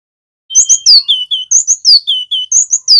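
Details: Vigorously singing local Javanese male cinereous tit: the same phrase repeated three times, each with high paired chirps, a sharp falling whistle and two lower steady whistles, loud and clear.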